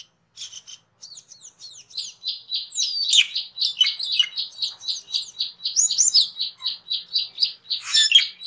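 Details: Cucak keling song used as a master recording for training cage birds: a dense, fast run of repeated high chirps with rising and falling whistled slurs and bursts of harsh notes, continuous throughout.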